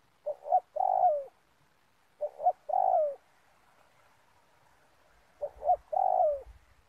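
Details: Repeated cooing of a spotted dove at an oil palm plantation trapping spot, each phrase two quick soft notes then a drawn-out descending coo, three phrases with pauses, faint low rustling near the end.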